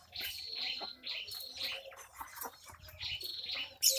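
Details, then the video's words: Javan myna, angered at being watched while bathing, giving harsh, raspy, buzzy call bursts about half a second long, repeated five or six times with short gaps, ending in a sharp, loud note. "Burung jalak kebo marah saat diintip mandi"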